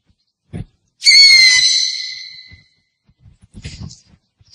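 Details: Owl call: a single drawn-out, high, tonal screech with strong overtones, loud at the start and fading as it slides slightly down over about one and a half seconds, with faint short knocks before and after.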